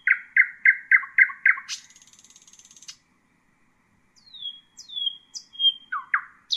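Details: . A nightingale song phrase used for teaching young birds: six loud, evenly spaced notes, then a fast buzzy rattle, a pause, and a run of high descending whistled slurs.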